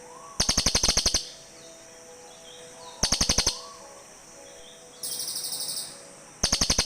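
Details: Cililin birds calling back and forth to each other, used as a lure sound in forest: short bursts of rapid high chirping notes, each under a second, repeated several times, with one higher buzzier burst answering in between.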